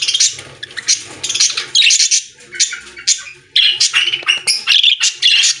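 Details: Several budgerigars singing together in a pet store, a dense busy chatter of scratchy chirps, warbles and squawks in overlapping bursts, with brief quieter gaps between loud stretches.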